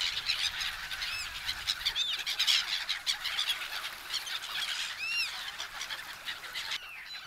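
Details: Black-headed gulls in winter plumage at a popular feeding spot at Kasumigaura Park, Tsuchiura, Japan, calling as people hand out food: many arched, squealing cries overlap continuously from a busy flock.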